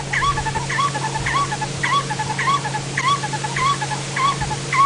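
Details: Black-collared Barbet duet, played back: two birds calling together in a pair so closely that it sounds like a single bird. A rhythmic, ringing two-part phrase repeats about twice a second over a steady low hum.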